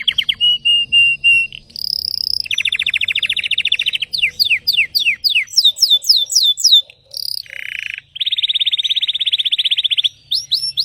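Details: A Belgian canary sings varied high phrases: clipped repeated notes, fast rolling trills, a run of sweeping descending whistles, then a long, even buzzing trill near the close.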